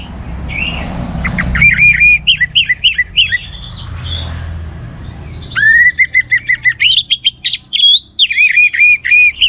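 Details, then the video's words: Orange-headed thrush in full song, meant to provoke other birds into singing: bursts of rapidly repeated clear whistled notes in short series, separated by quieter gaps with soft background rumble, ending in varied chirpy phrases. "ANIS MERAH Gacor Untuk Memancing Burung Jadi NGeplong Bahkan Teler"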